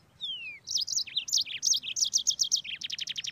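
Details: Yellow-fronted canary, recorded as a tutor song for training songbirds, opens with a long falling whistle, then rattles off a fast, bright string of high chirps and rolled trills, about six notes a second.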